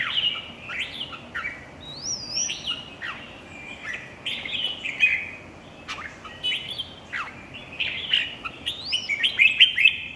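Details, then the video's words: In a singing competition, a red-whiskered bulbul pours out a busy stream of whistled, warbling notes with frequent upward and downward slurs, becoming denser and more rapid toward the end. "chào mào thi đấu"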